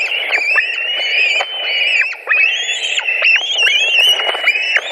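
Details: Latvian White-tailed eagle nest, July 2020, during a fish delivery: dense run of rapid, high whistled calls, short dips and rises in pitch, forming an excited unbroken chatter.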